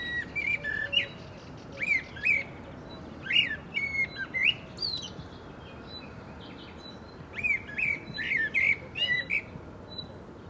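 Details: Eurasian blackbird (Turdus merula merula) at Agia Triada, Greece, in April 2024: bursts of mellow whistled notes mixed with sharp, high twittering flourishes, delivered in clustered phrases with short gaps, over a constant low hiss.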